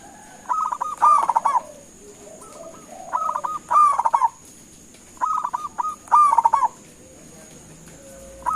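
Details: Local-strain zebra dove calling so that others will answer: paired phrases roughly every two seconds, each opening with quick clipped notes and building into a loud rolling stutter, with a softer lower dove cooing between.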